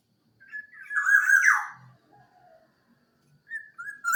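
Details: Local Javan black-naped oriole giving a rich, fluty whistled phrase, slurring down, followed by a couple of short clear whistles; nothing else heard.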